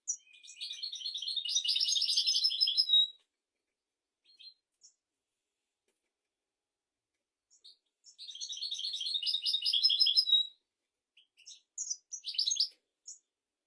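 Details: Royal European goldfinch song used for teaching goldfinches and canaries: rapid, high, twittering phrases of liquid trills and buzzy notes lasting about three seconds each, separated by silence with a few scattered chips.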